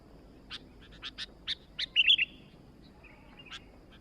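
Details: Sooty-headed bulbul singing busily: a run of sharp, clipped chirps, then a quick bubbly burst of warbled notes near the middle and a few scattered chirps afterward, against a quiet low background hum.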